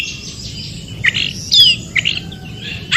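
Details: White-rumped shama song from the wild, played to make other shamas respond and sing: scattered bright whistles and slurred notes with pauses between, over steady low background noise.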